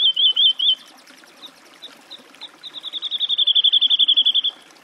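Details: Woodlark delivering a short warbled trill, a few spaced soft notes, then an accelerating, crescendoing series of identical liquid notes merging into a fast trill.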